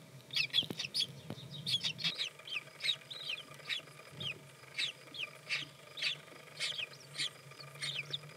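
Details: Newly hatched common kestrel chicks, five in a nest, the youngest hatched that morning in spring. Sharp, high-pitched peeping repeats roughly every half second, fairly even, over a low electrical-sounding hum.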